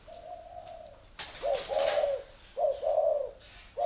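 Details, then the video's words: Red-eyed spotted dove singing in the "thổ" style: a soft drawn-out coo, then a sharp rustle, followed by two loud rounded coos that each swell and fade, with brief pauses between. "chân mốc mắt đỏ giộng thổ bộ khủng"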